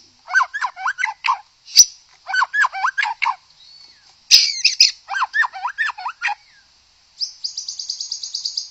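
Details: Singing white-rumped shama meant to make others sing: three bursts of fast, looping whistled notes in short phrases separated by sharp chips, ending in a rapid high trill of about fifteen even pulses.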